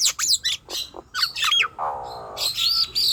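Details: Short stretch of Nias hill myna song meant to provoke young or lazy birds to sing, with sharp whistled chirps followed by a long harsh nasal buzz, then more shrill notes.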